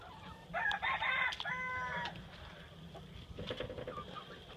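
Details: Ohiki rooster crowing outdoors on a windy day: one loud, harmonic, slightly hoarse crow of about two seconds, with a rising start and level middle notes, then fainter clucks from other chickens over steady wind rumble.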